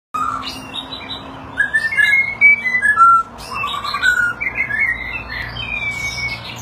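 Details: White-rumped shama singing during display, a varied series of clear whistled notes and slurred phrases, some rising and falling, with short buzzy bursts between them; a low steady hum runs underneath.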